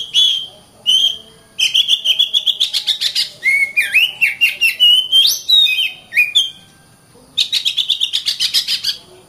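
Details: Oriental magpie-robin song used as a master recording for training other birds: loud varied phrases of clear whistles, slurred notes and rapid repeated chattering pulses, with short pauses between bursts.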